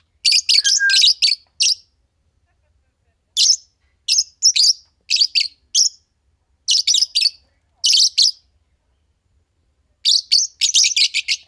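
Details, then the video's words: Green Fischer's lovebirds, a pair, chattering in rapid clusters of shrill, scratchy chirps separated by short pauses, with a brief lower whistled note early on; quiet indoor-sounding background. "Lovebird Singing & Chirping Sounds - Green Fischer Pair"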